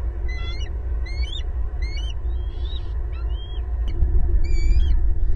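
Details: Southwest Florida bald eagle pair and their two young calling loudly at the nest, April 2022: rapid chittering whistled notes in short bursts, bending up and down, with low-frequency background rumble growing louder toward the end.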